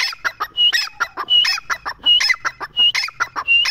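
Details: Partridge calling rapidly and loudly, with repeated phrases of a sharp whistled note followed by rough clucking syllables, the pattern cycling roughly every 0.7 seconds.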